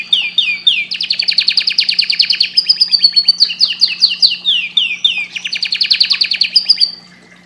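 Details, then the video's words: Canary song made of long, loud rolling trills of rapid repeated notes, broken by short swooping phrases, continuing for about seven seconds before stopping; a low hum is present. "Canary bird singing"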